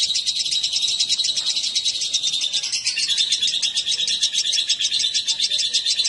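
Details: Lovebirds, male and female paired, chirp in an unbroken, piercing chatter of quick repeated notes at an even volume.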